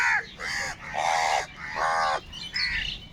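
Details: Huge number of crows fighting for food, giving long drawn-out harsh caws, several overlapping in quick succession with brief gaps between.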